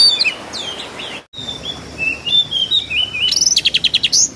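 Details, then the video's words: Oriental magpie-robin (kacer), an owned bird from Kudus, in full gacor song with mimicked sparrow and kingfisher fill-ins: varied thin whistled slurs, a brief silent break, more rising and falling whistles, then a fast rattling series of about a dozen sharp notes. "KACER GACOR FULL NEMBAK ISIAN MEWAH ,GEREJA TARUNG TENGKEK"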